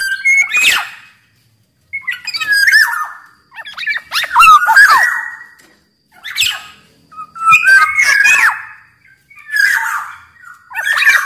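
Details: Vigorous singing from a Black-naped oriole (Sumbawa kepodang, larger than birds of other regions), used as a training master and lure. Seven or eight short bursts of harsh, squawky, nasal whistles about every one and a half seconds, separated by brief silences.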